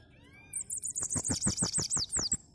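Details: Bananaquit singing in the cangaceiro style, a thin high-pitched hissing trill of fast undulating notes lasting about two seconds. Steady low knocking beats accompany it, and a faint rising tone is heard at the start.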